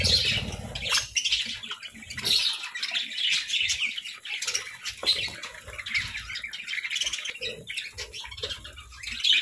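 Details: Pet parakeets give scattered short high chirps and twittering notes. Soft fluttering and faint rustling run between the calls.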